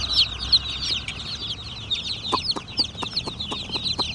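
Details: Baby chickens peep rapidly in a bright, high chorus of short downslurred chirps. A few sharp taps are also heard.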